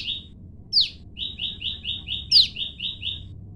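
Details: Olive-backed tailorbird pair kept separated, female and male calling back and forth to each other: a fast run of about ten even, high chipping notes, answered twice by a sharp, loud, downslurred note from the partner.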